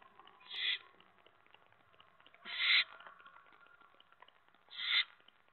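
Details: Owl calling before dawn on 8 January 2017, around 5:30 AM, heard from a hideout: three short, harsh, hissing screeches, each under half a second, spaced about two seconds apart over a quiet background.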